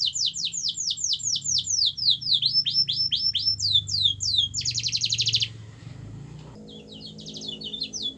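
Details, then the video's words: Canary singing as a lure for a canary that will not sing: quick repeated falling whistled notes, a rolling series of rising notes, then a dense buzzy trill, a quieter pause and soft high notes, with low room hum. "Kenari Anda MALAS BUNYI, Coba Putar Video Ini !!!"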